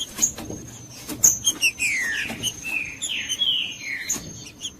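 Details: Green-winged saltator in Judas song style, used to warm up a cold bird: a flowing series of loud, slurred whistles, several descending, running continuously for about three seconds amid light clicks.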